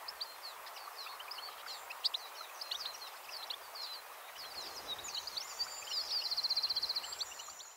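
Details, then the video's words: European goldfinch singing from a thin branch at Fowlsheugh; rapid, high twittering chirps tumble throughout, then a fast, even, buzzy trill near the end, over a steady rushing background noise. "Goldfinch (Carduelis carduelis) - singing from a thin branch"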